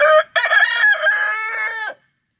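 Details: A rooster crows once: a brief first syllable followed after a short gap by a drawn-out, strongly harmonic phrase that sags slightly and ends abruptly, then silence.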